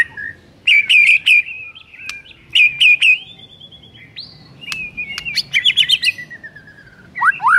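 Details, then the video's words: A white-rumped shama sings in the morning, probably caged: clustered sharp chips around steady whistled notes, a rising whistle, and quick trilled phrases ending with falling slurs. "PAGI HARI, GAK PAKEK LAMA ! MURAI BATU GACOR ISIAN MEWAH INI AMPUH Bikin GACOR"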